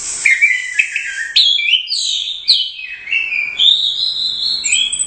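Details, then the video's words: Caged orange-headed thrush competition bird, a first-place winner, singing a fast, varied run of whistled phrases: slurred notes sliding between mid and very high pitch, with sharp rising and falling strokes and brief pauses. "Suara Burung Anis Merah | GACOR Teler Doyong Juara I Royal Cup"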